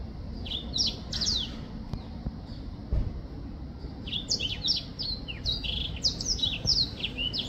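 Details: Black-throated finch (Poephila cincta) song: thin, high, down-slurred notes in quick bursts, a short phrase and then a longer run of overlapping notes, over a steady low hum.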